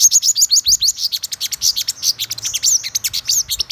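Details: Black-throated sunbird singing a fast, high twittering run of sharp chirps and short upslurred notes, packed closely together with almost no pause, over a quiet low hum.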